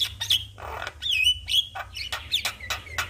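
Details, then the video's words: A normally quiet Javan myna reacts to a lure of another myna in full song. It gives short harsh squawks alternating with clear whistled notes that rise and fall, in a quick uneven sequence. "Burung Jalak Malas Bunyi Langsung Respon Dengan pancingan jalak Kebo GAcor"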